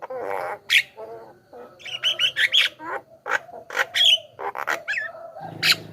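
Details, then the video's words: Javan myna song meant to draw in wild mynas: a rough rasping opening, then a string of bright whistled and squeaky notes and harsh bursts, ending with a low buzzy drone. "SUARA BURUNG JALAK KEBO,suara masteran paling dicari,ahli pancingan dengan variasi suara"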